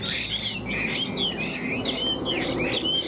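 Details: A tame Chinese hwamei, caged for three years, sings in a competitive fighting bout. Clear, high whistled phrases of rising and falling slurs follow one another without pause over a steady background hiss.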